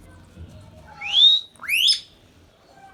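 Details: Pet Indian ringneck parrot indoors giving two loud, harsh upswept squawks, each rising steeply with a layered, raspy tone, spaced about half a second apart, over quiet room hum.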